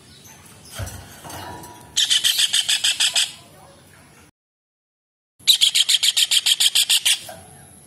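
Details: Kingfisher, recorded as tutor material for songbirds, giving two bursts of rapid, harsh, repeated notes. The first is a short run of about seven and the second is longer, around fourteen, with a cut of silence between them.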